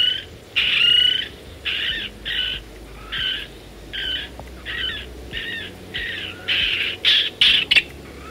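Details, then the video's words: Micronesian kingfisher, extinct in the wild and surviving mainly in US zoos and breeding centres, gives about twelve harsh, grating notes, roughly one per half second, growing louder and more strident toward the end. "Este es el canto del alción micronesio."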